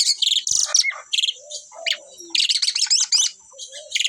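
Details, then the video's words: Asian pied starlings, a caged pair singing keenly, alternate buzzy rattling bursts and high scratchy notes with brief low whistled slurs in the gaps, phrases repeating every second or so. "sepasang burung jalak suren super gacor"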